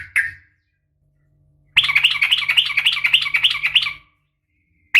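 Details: A yellow-vented bulbul female calling a male gives a single chirp, pauses, then a long, rapid, scratchy 'ropel' chatter of over two seconds above a steady low hum.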